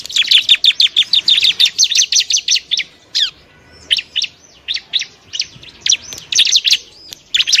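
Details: Bar-winged prinia (ciblek) singing a training song for other birds: a fast run of evenly spaced high chirps, then scattered rising and falling notes after a short lull.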